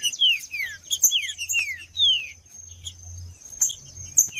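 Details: Male green-winged saltator in fighting mode sings a fast sequence of ringing downslurred whistles early on, followed by sparser notes, with a steady high tone in the background.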